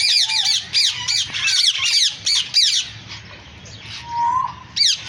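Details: Green African parrots calling: a rapid series of harsh, grating squawks in quick succession, then a quieter pause with a faint lower whistle before one last loud squawk.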